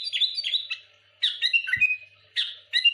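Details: Sooty-headed bulbul in full song aimed at rivals, giving short bursts of bright, slurred whistled phrases separated by brief gaps, each burst lasting about half a second.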